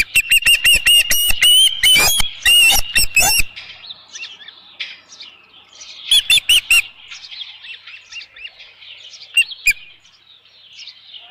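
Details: Osprey at a ranch nest with a headless fish, 27 June 2018, midday: a rapid series of loud, piercing, repeated whistled chirps for about three seconds, then quieter twittering and a few more sharp calls.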